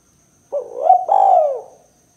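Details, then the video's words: Spotted dove cooing in the 'kuk 2' style for trapping and provoking doves: an opening soft coo, a short rising note, then a prolonged husky coo that sinks at its close. "Suara Burung Tekukur Kuk 2 Paling Gacor Terbukti Ampuh Untuk Pikat & Pancingan Tekukur APAPUN"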